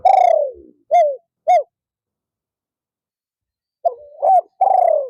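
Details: Spotted dove used as a decoy to lure wild doves on an afternoon perch: a long descending purred coo, two short clipped hooked coos, a pause, then a soft rising lead-in note and two more deep coos.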